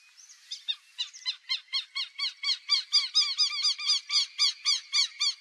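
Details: Black-bellied whistling duck, wild, in the Pantanal: squeaky whistled notes, each sliding down, repeated about four times a second in a steady series that grows louder, with a faint steady high tone behind.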